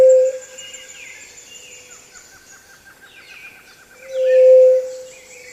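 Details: A Pallid Dove gives its low, steady single whoo call, just under a second, with the tail of another at the start. Other birds chirp and trill quietly behind a thin insect hiss.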